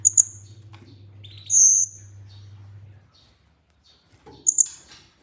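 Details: Song of an olive-backed sunbird (kolibri ninja) in a training recording for stimulating other birds: scattered very high sharp notes, one drawn-out shrill whistled note, then a final pair of piercing chips; low hum underneath.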